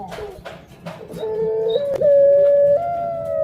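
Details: Pet puter pelung dove hen nearing egg-laying: soft clicks lead into a long, pure, low coo that climbs in two small steps and grows louder toward the end, against light background noise.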